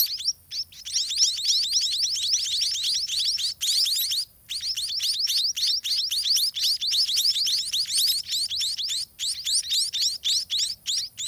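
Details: Hungry white-rumped munia chicks in their nest, fed by parent birds in a garden: a continuous, fast stream of thin, high, upward-sweeping chirps, several per second, with only brief pauses.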